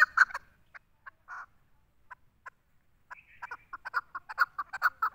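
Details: Female Chukar partridge giving scattered single clucks with long pauses, then breaking into a quicker run of uneven, clipped notes toward the end.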